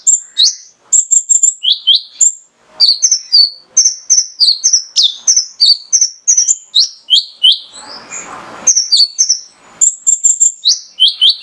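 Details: Male mangrove whistler, recorded as master song to set other birds singing: dense, rapid chain of upswept whistles and short level notes, one brief noisy burst near the end.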